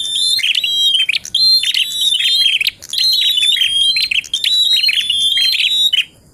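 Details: Contest-style bar-winged prinia song, full tilek and ngalun, for tutoring birds: energetic high-pitched phrases of clipped whistles and harsh trills repeated about once a second, broken by short silences.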